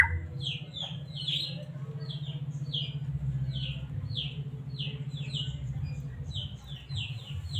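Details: White-rumped shama of the Medan type, used to provoke caged birds into song: a steady series of short, high, downslurred notes repeated about twice a second, rather faint above a strong, continuous low hum.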